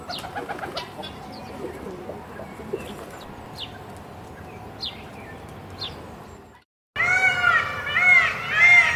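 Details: A caged Indian peacock gives loud, rich, wailing calls in arching bursts, preceded by faint high chirps from small birds over a steady background hiss.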